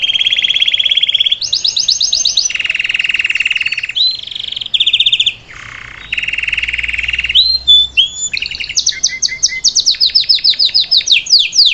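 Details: Salsa canary performing varied song to teach a young bird: alternating high and low buzzing rolls, short squawk-like low tones, then quick chirps and falling notes.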